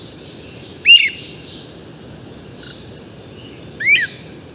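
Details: Great Crested Flycatcher at the crack of dawn, starting its dawn song and recorded from right beneath it. It gives two loud, rising whistled rip calls about three seconds apart, with a soft trill of low-pitched purring notes in between, over a quiet hiss.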